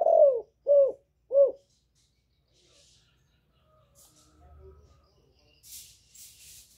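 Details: A female spotted dove gives a nest call to excite males: one falling coo and two short, rounded coos in quick succession, followed by near silence with faint rustling.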